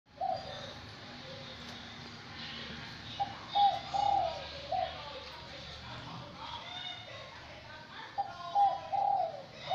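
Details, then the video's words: Caged wild-caught spotted dove, kept caged for 80 days, cooing: low, hollow, slightly wavering coo phrases come in short bursts near the start, around four seconds and again near nine seconds, with faint room murmur behind. "Cu gáy bổi 80ngay lồng"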